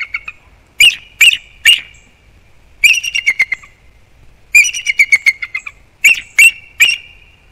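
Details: A nesting bald eagle pair on Captiva/Sanibel Island, Florida, giving serious alert vocals at something near the nest, December 2021 morning. Repeated bursts of high, piercing chittering notes arrive in rapid groups of three to six, separated by short pauses.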